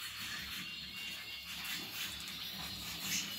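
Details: Roller canary from the Gheling line singing a soft, continuous rolling song. Steady high tones hold throughout with little break, over a faint low indoor hum.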